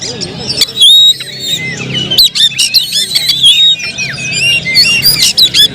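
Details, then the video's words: Oriental magpie-robin song with clear whistled notes, some held and some swooping up or down, mixed with abrupt harsh chips and scratchy bursts at an uneven pace. "suara kicau burung Kacer"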